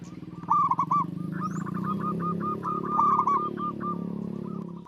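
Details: Local zebra dove singing actively with a big, long, melodious voice: a loud opening note followed by a rapid rolling trill of short coos, then a second phrase with more trilled coos, over a steady low hum.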